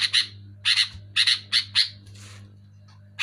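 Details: Sooty-headed bulbul singing loudly and clearly, used to stimulate caged bulbuls to sing: short harsh chattering bursts in quick pairs, about five groups in three seconds, over a steady low hum.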